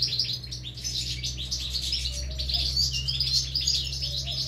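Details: Nestling goldfinches begging during feeding at the nest: continuous fast high chittering chirps, loud and overlapping, with a few short thin whistles mixed in and a steady low hum.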